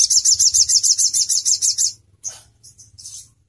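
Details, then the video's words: Crimson sunbird song used to train other songbirds: a quick series of about thirteen high sharp notes, evenly spaced and rapid, then brief scattered chirps after a pause. "Sogon Bakal langsung NYAUT, NEMBAK NGALAS || Nembak Tajam & Suara Jernih"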